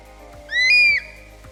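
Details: An Eurasian Stone-curlew gives one eerie, wailing, curlew-like whistle of about half a second, the kind of call it gives at night. It rises sharply, then holds a high, clear pitch over a faint steady hum.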